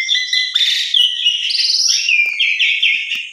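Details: Black-collared starling (jalak suren) song used as a morning lure to get silent or stressed birds singing: varied loud whistles, rising notes and buzzy phrases with repeated slurred whistled notes near the end, continuous throughout.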